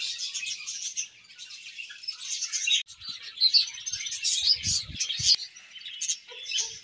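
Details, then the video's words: Budgerigar colony chirping: a dense, continuous chatter of many overlapping high warbles and short chirps, with brief quieter gaps and a few low thumps partway through. "𝐁𝐮𝐝𝐠𝐢𝐞 𝐂𝐨𝐥𝐨𝐧𝐲 𝐒𝐨𝐮𝐧𝐝𝐬 | 𝐁𝐢𝐫𝐝𝐬 𝐒𝐢𝐧𝐠𝐢𝐧𝐠"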